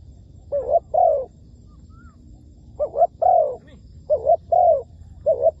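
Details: Spotted dove used as a decoy bird in trapping, giving mellow, low hooting coos in short two- to three-note phrases, repeated about every one to two seconds with pauses between, over quiet low background rumble.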